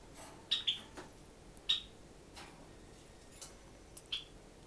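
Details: Pet sakura Java sparrow, indoors, trying out a new game: short sharp high chirps, some given as quick doubles, spaced irregularly about once a second, with faint tapping clicks and quiet room tone.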